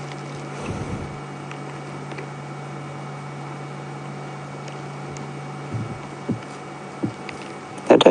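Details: Even electrical hum broken by a few soft thumps and clicks, ending in a louder knock, with no animal calling.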